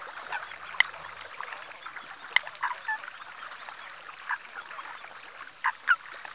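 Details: Eurasian coot recorded at 9:00 on 6 February 2020 at Ses salines de Mongofre, Menorca; a handful of sharp, clipped notes at uneven intervals over a busy background of faint bird chatter.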